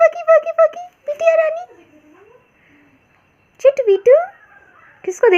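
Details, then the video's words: A pet Indian ringneck parrot chatters in bursts of nasal, speech-like syllables, with a quick run of notes, a rising squawk, and a pause before more chatter. "PARROT MAKING FUNNY SOUNDS"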